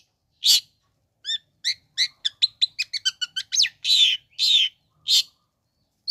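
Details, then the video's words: Long-tailed shrike song to provoke other shrikes: a harsh note, then quickening clicks and short chirps in a fast run, followed by several long harsh rasps. "Bikin Cendet Loyo Kurang Emosi Agar Segera Terpancing Emosi &Ikut Bunyi"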